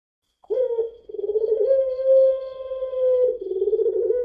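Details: Barbary dove of the long-voiced puter pelung type, lure recording: a single prolonged, even coo with a pulsing, throbbing start and finish, steady and tonal through the middle.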